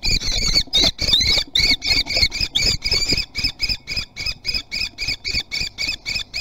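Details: Common kestrel from a nesting family at Théding, recorded 3 July 2020 during a chase for food: a fast series of harsh, scratchy calls, about three per second, ragged and overlapping at first, then evenly spaced.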